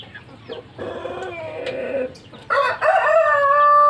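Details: Pelung chicken rooster with a very long lower wattle, crowing: soft, low clucks and murmurs at first, then a sudden loud, rich, ringing crow that holds a steady, drawn-out tone and is still sounding at the end.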